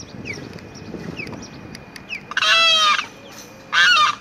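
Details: A Limpkin perched in a cypress tree on 22 April 2021 gives two loud, harsh, wailing screams, each half a second to a second long, after a quieter stretch of faint background chirps.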